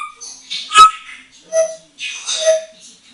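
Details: Female African grey parrot, eight years old, hand-trained and moulting, playing on a bathroom towel rail; three loud bursts, each a sharp whistled note wrapped in raspy squawking, about half a second apart.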